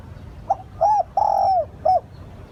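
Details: Spotted dove lure call used to attract wild doves: a soft short coo, a curved hooting coo, a long drawn level coo falling at its end, then a short falling coo, over steady low background hum.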